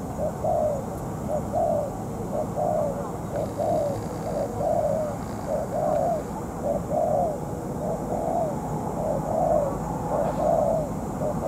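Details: Spotted dove trap decoy, molting, calling through a two-hour duel with a feisty wild bird. A long run of soft, slightly slurred coos repeats at a regular pace of about one per second.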